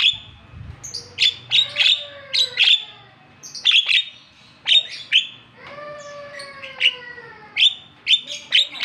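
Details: Javan myna provoking call, used to stir a reluctant bird into singing: sharp high chirps in clusters, with drawn-out descending whistled notes that trail off around 5 and 6 seconds, phrases every second or so.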